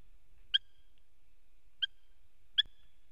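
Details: Eurasian hobby pair at a nest in Latvia, 11 August 2017, mid-morning, the male in the nest playing with a pine cone as the birds talk to each other; three crisp, clipped piercing notes roughly one second apart in near silence.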